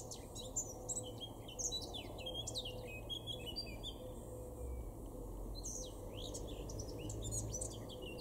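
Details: A male Eurasian blackcap sings in a garden in Weener, East Frisia, northwest Germany, in May 2022: a quick, varied warble of high chirps and fluty notes, with other birds calling around it and a steady low rumble underneath.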